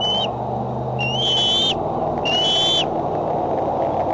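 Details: Bald eagles at the Decorah nest, filmed by a nest camera on the afternoon or evening of July 6, 2011, as birds come and go: three high, thin whistled notes rising and upslurred, about a second apart, over steady broadband rushing noise.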